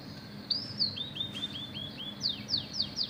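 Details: An Oriental magpie-robin with canary-learned song gives a few high slurred notes, then a stuttering row of lower clipped whistles, and closes with four crisp descending sweeps against a soft hum.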